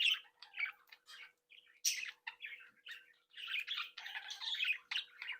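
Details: Home-bred Budgerigars socializing and chattering: quick squeaky chirps and grating warbles in clustered bursts with short gaps, denser toward the end, above a faint constant hum.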